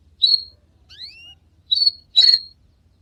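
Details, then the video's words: Canary singing: a few clear whistled notes near the top of its range, including short level whistles and two rising and falling glides, separated by brief pauses in a quiet setting. "لا تحرم كنارك من الغناء إجعله يغرد بشكل دائم فقط دقيقة وراح يغردcanary snging bird"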